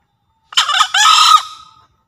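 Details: Green junglefowl from Java giving a single lure crow: a brief coarse opening syllable, a pause, then a drawn-out rasping second part that tails off into a thin fading tone. No other sounds.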